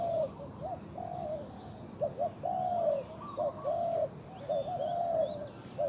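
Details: Spotted dove, a captive decoy bird used for luring wild doves, giving repeated mellow coos: short hoarse notes leading into longer drawn-out, slightly falling phrases, with another bird's quick four-note high chirps in the background.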